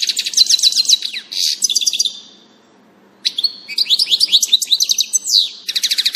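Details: Goldfinch (European) song, 16 June 2018: two bouts of rapid, high twittering with buzzy trills and slurred whistles, broken by a pause of about a second.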